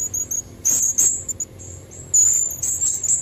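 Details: Female blue-crowned hanging parrot calling as a lure for red-throated males: piercing high squeals in two bursts, the second longer and denser, with faint scattered chips between.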